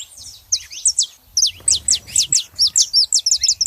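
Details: Female and male saffron finches vocalizing: bright, high downslurred notes in brisk clusters, pausing briefly, then a steady rapid series of loud sliding chips to the end, faint low rumble beneath.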